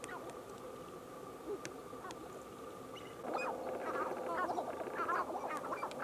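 Sharp-tailed grouse give a busy, overlapping chorus of clucks, cackles and short cooing notes from several birds, starting after a steady low hum in the opening seconds.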